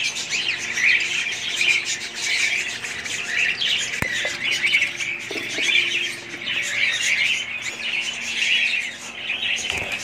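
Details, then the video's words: Many budgerigars calling together, a long continuous chatter of high chirps, squawks and warbles rising and falling in loudness, with a sharp click and a few faint knocks in the background. "budgies parrots"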